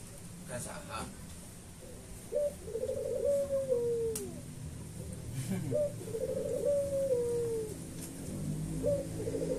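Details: Actively singing white dove giving repeated coos, each a brief high note, a wavering trilled stretch and a long note sagging lower, about three seconds apart, with faint clicks and low background hum.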